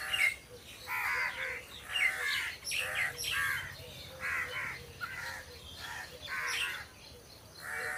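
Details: Crows among trees calling repeatedly, about one hoarse, grating caw each second, in uneven bursts over eight seconds, with a low background hum.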